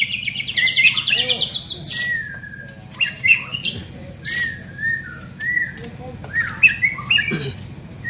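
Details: Young white-rumped shama in training, opening with a rapid high trill, then sparse clear whistles and short buzzy notes separated by brief pauses.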